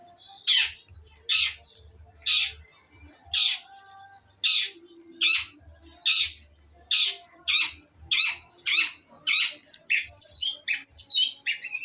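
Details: Harsh rasping notes from a female long-tailed shrike repeated about every second, quickening near the end into a burst of varied twittering and chattering notes.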